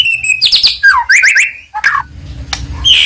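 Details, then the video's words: White-rumped shama, a Medan-type bird in full song, used to provoke other birds into singing: loud varied whistles, rapid rising and falling trills and sharp chirps with short pauses. "100% Ampuh mancing emosi Murai Batu Gacor"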